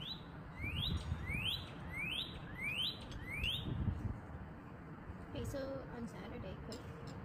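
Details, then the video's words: A wild Northern Cardinal in a backyard whistles six clear rising notes, about two per second, then stops; a low background rumble and a few faint chirps follow. "Northern Cardinal Sounds"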